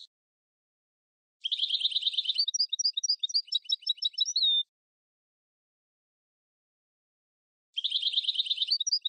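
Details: Sfax-style song phrase of a Tunisian European goldfinch, used for tutoring: a rapid buzzy trill breaking into bright, bouncing twittered notes that end in a drawn-out nasal tone, then silence before the buzzy trill starts again.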